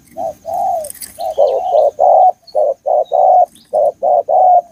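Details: Spotted dove from a forest setting in Thailand, cooing in a repeated series of short, hollow notes about twice a second, some phrases ending in a longer note, with faint higher chirps from other birds in the background.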